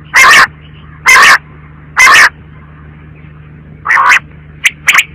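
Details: Three strong, rasping quail notes spaced about a second apart, followed by a shorter burst and two quick high chirps, with a low hum underneath.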